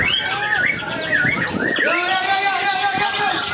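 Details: White-rumped shama, a caged contest bird from Palembang, singing at the BMBK Cup 3 songbird contest in Lampung on 17 December 2023: clear looping whistles sliding up and down, with other birds and crowd noise faintly behind.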